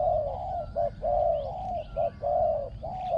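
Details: Spotted dove decoy bird with fine cooing phrasing; loud close coos alternating short and drawn-out notes, nearly continuous across the whole stretch, over a soft low hum.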